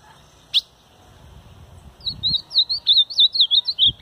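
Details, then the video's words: A caged ultramarine grosbeak, its cage held in hand, sings a quick, warbled phrase of sweet, high notes lasting about two seconds, after a single sharp click and faint low handling noise. "Azulão Cantando"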